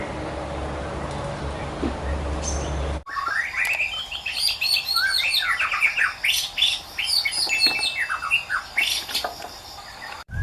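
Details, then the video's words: Wild white-rumped shama in song after a noisy opening: dense run of bright, fast whistles and chattering notes sweeping upward, high and varied, delivered almost without pause for about seven seconds. "Mengintip Aksi Burung Murai Batu Ngotot Di Alam Liar"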